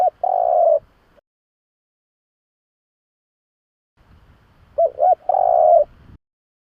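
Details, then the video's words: Spotted dove call used to attract doves: one long coo, a few seconds of silence, then a phrase of two quick coos and a drawn-out final coo. "Tiếng chim cu gáy nghe là ghiền kích bổi siêu nhạy"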